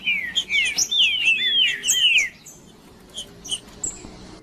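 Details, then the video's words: Green-winged saltator male singing macheando to heat up other males: a continuous warbled run of overlapping whistled slurs for about two seconds, followed by a few isolated high notes. "Melhor Trinca-ferro Macheando com Trinca ferro cantando Para Esquentar Trinca ferro"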